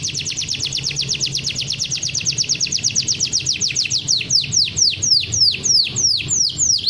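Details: Champion canary song used as training master: a fast high trill of rapid downward-sweeping notes, about four per second, giving way to slower, louder swooping whistles, over a steady low hum.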